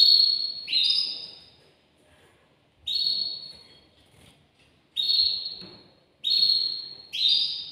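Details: Caged male canary, said to be excited and stimulating a female for mating, gives short bursts of high, slightly falling whistled notes separated by pauses of one to two seconds.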